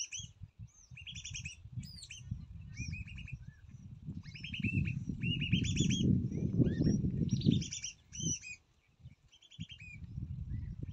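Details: Chick fed by its mother gives steady runs of sharp, high chirps and twittering notes, many per second, over a strong low rumble and some fluttering, with a brief lull near the end.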